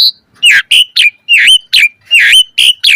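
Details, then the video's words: Asian pied starling (jalak suren) in a full-variety mompa style, used as a training and lure recording: loud, clipped whistled notes, several sliding downward, in short bursts with brief gaps. "Pancingan Jalak Suren Full Variasi Mompa - Masteran Suara Burung Jalak Agar Gacor Full Isian Mewah"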